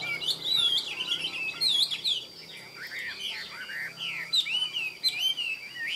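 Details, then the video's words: Midday song of a caged hwamei: a dense, continuous stream of rich varied whistles and warbles, rising and falling notes packed closely with barely a pause. "Họa mi hót buổi trưa"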